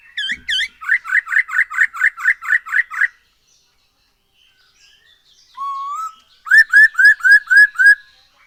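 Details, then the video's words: Black-throated laughingthrush, singing as a lure to get birds singing. Opens with a fast burst of about a dozen evenly repeated whistled notes. After a pause come a lone rising whistle and then six crisp upslurred notes. "Poksay HONGKONG GACOR SETIAP HARI ‼️Dengan Pancingan ini Bikin Burung Tambah gacor"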